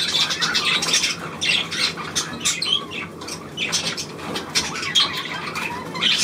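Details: Budgerigars, 9 February 2024, squawking and chirping in quick irregular bursts, harsh notes interspersed with brief whistled rises, steady chatter throughout.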